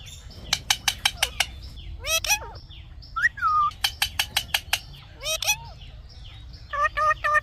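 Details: Indian ringneck parrot, kept as a talking bird, mixes bursts of fast clicks with short bending harmonic utterances and a clear tonal phrase near the end.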